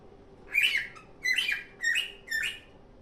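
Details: Four squawky, rising chirps from a happily singing pet cockatiel, spaced about half a second apart over a quiet background.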